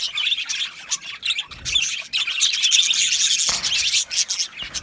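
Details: Budgerigars in an aviary colony chirp in quick irregular bursts of about two a second, with high, warbling chatter building in the middle.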